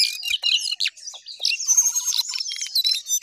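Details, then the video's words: Lively Jongkangan song of dense, high chattering notes, with a fast, evenly repeated lower stutter running underneath for about a second. "Jongkangan Gacor Naik Turun Oke"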